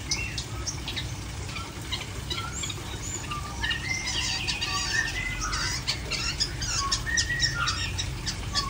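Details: Long-tailed shrike in a dense, fast, varied song: rapid chattering, scratchy high notes mixed with lower whistled slurs, delivered almost continuously against a faint hum.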